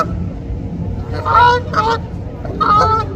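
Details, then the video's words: Canada goose, among geese with goslings swimming and feeding on water, gives three loud, nasal honks, two close together then one after a pause, over a low rumble. "Canada Geese honking"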